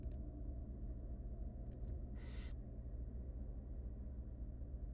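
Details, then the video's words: Hungry barn owl nestlings, wild and nest-box dwelling, begging while their mother brings food: one strong, drawn-out hissing rasp after a few quick faint scratchy clicks, over a low electrical hum. "3 hungry tiny barn owl nestling get fed by their Mom."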